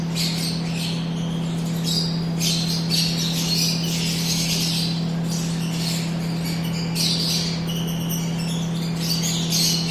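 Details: Shrill, scratchy squawks and chatter from a yellow-collared lovebird come in irregular bursts, some dense and noisy, over a continuous low electrical hum.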